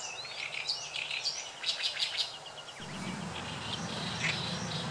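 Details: Oriental reed warbler in May 2012 at the Saitama primrose park, Japan, giving grating, rapid repeated notes followed by softer scattered chirps, over a low rumble that sets in midway.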